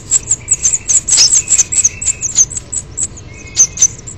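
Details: House finch nestlings, grown nearly as large as the parents, being fed at the nest: rapid, very high, thin squeaky begging chirps in a dense stream, some longer flat whistled notes, with wing flapping.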